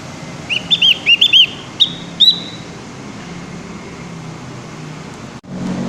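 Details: Javan grey-throated white-eye learning its song, uttering four or five clear, high looping chirps in the first two seconds, then a low steady background drone with no further notes.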